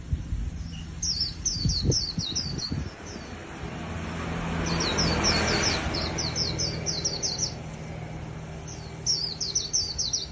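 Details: Newly caught wild white-eye in a cage sings thin, high, down-slurred twitters in fast strings, while a low engine-like hum and a few dull thumps sit underneath.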